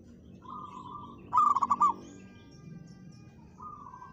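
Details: Local zebra dove singing loudly to challenge a rival into calling. A soft mid-pitched cooing note, then a stuttering burst of five or six quick pulsed coos, then another drawn-out soft coo, over a low background hum.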